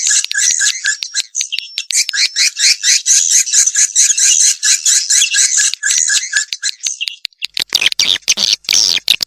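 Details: Swiftlet calling sound used to attract the birds: rapid, rasping high chirps in a steady stream for about seven seconds, then a burst of sharp clicking and crackling noise.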